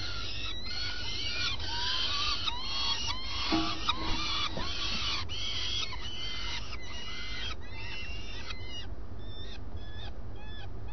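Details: Peregrine falcon at a webcam-monitored site in Alcalá de Henares, Madrid, defending what is its own: a rapid series of harsh, grating notes, each sliding downward, about three per second, steady then thinning out, over low-frequency hum.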